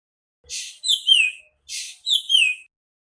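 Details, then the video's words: Nightingale song with two matching phrases, each a rough, noisy burst and then bright, high descending whistles, separated by a short pause. "Singing nightingale"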